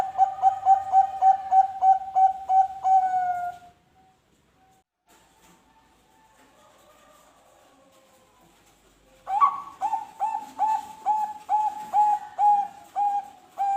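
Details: Zebra dove of the Bangkok type sings a lure song meant to set other birds singing. Rapid bursts of low hollow coos repeat about three per second, pause in near silence, then resume in a second rolling run.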